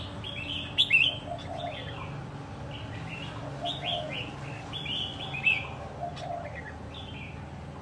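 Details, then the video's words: A red-whiskered bulbul, caught wild and raised for a year until fit to compete, gives scattered short whistled phrases with sharp chirps, set against a constant low rumbling background. "chào mào bổi sau một năm có thể thi đấu được"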